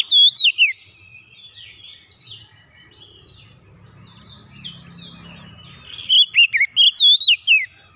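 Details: Oriental magpie-robin song meant to get a silent bird singing again: a short run of bright whistled notes opens, followed by a quiet stretch of soft background chirps, then a loud series of rapid, sweeping whistles near the end.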